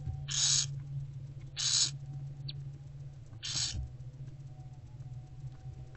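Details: Daylight feeding of barn owl chicks by their mother inside a nest box, mid-February 2024: three rasping hiss bursts, each under half a second, spaced unevenly, with a constant low hum beneath.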